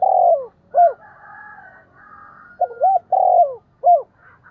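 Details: [1, 'Spotted dove decoy bird calling to draw in the flock. Its voice responds readily to wild birds. Loud, mellow coos around mid pitch, each note falling at the end, in short irregular bursts. A quieter hum sits between the phrases.']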